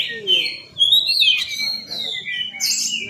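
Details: Lure song of an Oriental magpie-robin to provoke fast responses: high sliding whistles and scratchy notes, some sharp upward sweeps, in a steady flowing sequence with faint low background noise.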